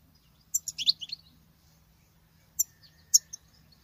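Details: Female European goldfinch singing like a male: a quick burst of high, twittering, tinkling notes, a pause, then a few more sharp, high chirps.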